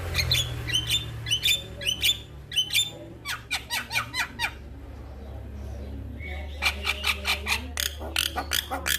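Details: Male Javan myna singing on a master recording meant to trigger song in other mynas: bursts of harsh rasping chatter separated by a quieter pause, with a low background hum.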